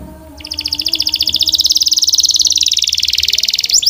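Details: Belgian canary with a strong, clear singing voice delivering a fast rolling trill of high repeated notes, about four per second's worth many times over, building in loudness and rising slightly in pitch through the phrase.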